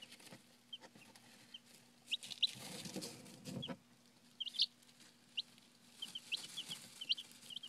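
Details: Chicks roughly five days old peep softly in short, high, falling notes spaced irregularly. A burst of rustling noise comes midway, and a constant low hum sits underneath.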